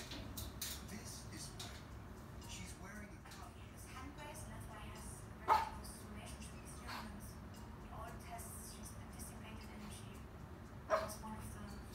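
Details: Pet cockatoo barking like a dog while watching a televised nature programme about birds; two short, sharp, harmonic barks about five seconds apart rise above steady television narration and background sound.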